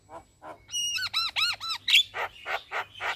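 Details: Morning song of a Javan myna recorded as a training master for caged birds: a run of arched nasal notes with rich harmonics, then a sharp whistle and repeated harsh rasping chacks.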